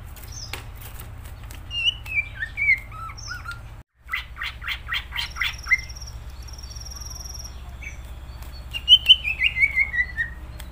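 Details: Whistled gacor phrases from a greater green leafbird alternate with a harsh, rapidly pulsed rattle and a thin high buzzy tone, ending with a descending run of clear repeated notes over a low hum.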